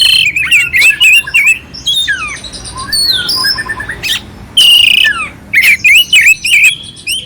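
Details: Oriental magpie-robin delivering a clear song laced with harsh fill-ins, used to stir another magpie-robin; warbled whistles and sliding notes give way to loud grating bursts in quick sequence.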